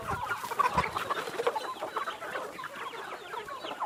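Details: Feeding free-range chickens make rapid, irregular clucking, roughly two notes a second, bunched in a lively chorus of many hens.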